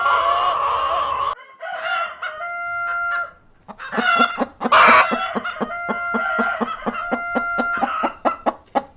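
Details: Cockerel and hens on a farm: a sustained harmonic call opens, then clucks, a burst of wing flapping, and a run of quick, evenly spaced clucks toward the end, with steady tonal notes running behind.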